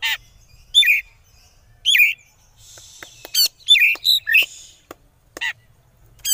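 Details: Oriental magpie-robin singing konslet style to entice rival birds to answer: rapid harsh chattering bursts and sharp clipped chips, with a short buzzy trill in the middle, irregular and loud throughout.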